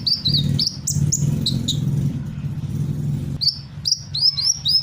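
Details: Sunbird mimicking other birds' calls: a run of high, sweet, down-slurred whistles, a short pause, then more rapid chirps, while a loud low rumble like passing traffic fills the background.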